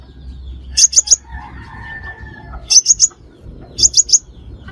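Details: Crimson sunbird used to lure birds into traps: three tight triplets of piercing high chips about one to one and a half seconds apart over a soft low hum.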